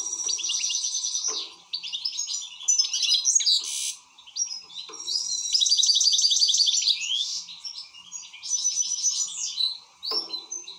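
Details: Excited European goldfinch with fast, rhythmic twittering and rattling trills in repeated phrases, briefly interrupted by pauses.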